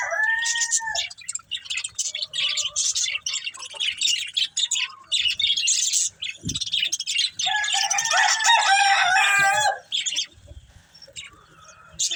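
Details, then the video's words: Budgerigars eating green food, giving dense busy chirping and warbling: rapid high twittering notes mixed with longer whistled tones, several birds overlapping, with a few soft knocks and rustles beneath. "Beautiful Budgies Enjoying Eating Green Food | Love Birds Chirping Sounds"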